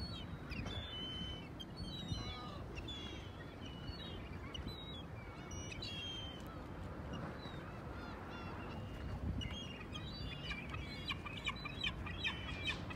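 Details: At Choshi port, Japan, on 11 March, gulls give scattered high, thin squealing calls throughout, some overlapping, over constant low-pitched harbour noise.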